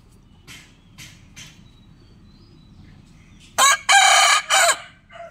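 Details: Rooster crowing in the morning: after faint distant calls, a loud harsh crow with a stuttered start and a long drawn-out strained ending, rich in high overtones, over low background rumble.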